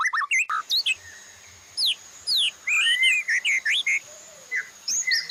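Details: White-rumped shama master song with imitated fill-ins, for training caged birds: scattered quick slurred whistles and sharp chirps at irregular intervals, a faint low rumble underneath.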